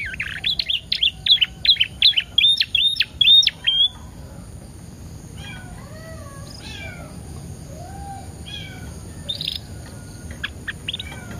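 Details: Canary singing a lure phrase to stimulate other canaries: about four seconds of loud, fast, jerky whistled notes, then quieter scattered chirps and soft slurred whistles over background hum.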